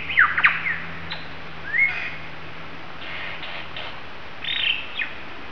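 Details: Lyrebird at Mason Falls, Kinglake National Park, Victoria, Australia, mimicking currawong, bellbird, galah, magpie and kookaburra calls: short squawks, sharp chirps and brief whistled notes in scattered bursts over a steady low hum.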